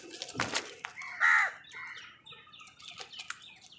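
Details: Crows fighting with wild birds for food: wings flap loudly, then a single harsh, raspy caw rings out, followed by softer scattered bird calls.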